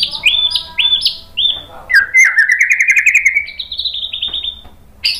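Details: A white-rumped shama sings, used as a lure and training song: rich, varied phrases of clear descending whistles, then a fast rattling trill and a run of bright repeated high notes, clean and loud.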